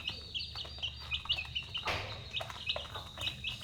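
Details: Dinner-time chicks calling: dense run of high, short peeps, some falling in pitch, several at once, with a brief rustle midway and a steady high whine behind.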